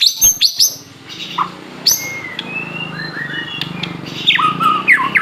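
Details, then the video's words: Aceh white-rumped shama in full song, giving scattered sharp high chips and whistles, a few drawn-out mid-pitched whistled notes and quick slurred phrases, over a steady low hum. "murai batu aceh gacor"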